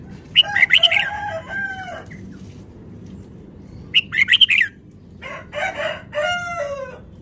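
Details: Red-whiskered bulbul, described as a Vietnamese bird, singing rapidly: bursts of bright, warbled whistled phrases, some with rich harmonic notes, in three groups separated by pauses of a second or more, over a soft low background hum.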